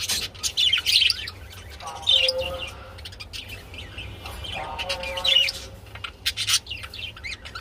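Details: Budgerigars during mating give bursts of bright chirps and scratchy chatter, with two soft low tones between and a background hum.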